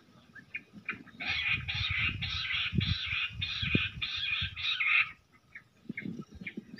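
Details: Jungle bush quail calling during a fight beside a net: a run of about eight harsh, rasping notes at a steady pace, each roughly half a second long, framed by scattered softer chips and low rustling.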